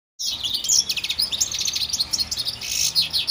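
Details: European goldfinch, locally called al-maqnin, giving a rapid, continuous twittering of high, tinkling, liquid notes with short buzzy trills, running without pause for over three seconds.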